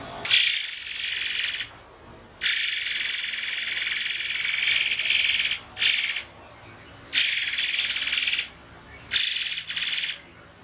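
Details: Murai air, a white-rumped shama, in a tutor recording of sharp, spaced song bursts: four long, harsh, buzzy blasts, high-pitched and steady, separated by short silent pauses.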